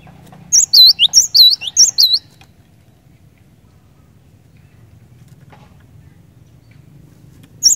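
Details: Cinereous tit in lively, non-stop song, said to quickly set other cinereous tits singing: a brief burst of about six sharp high whistled notes alternating with lower slurred notes, followed by near silence and a final note.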